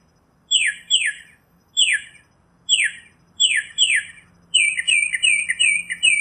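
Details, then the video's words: Northern mockingbird singing in nature: loud descending phrases, mostly doubled, each sweeping down from high to middle pitch, then a run of rapid repeated chattering notes at the end. "Birds Singing - Northern Mockingbird"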